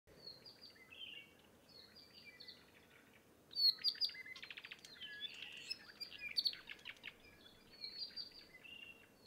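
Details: 'Apapane (Himatione sanguinea) in Hawaii Island rain forest singing a varied, high jumble of buzzy notes, quick trills, clicks and short whistles, loudest in the second half, with faint chips from other birds.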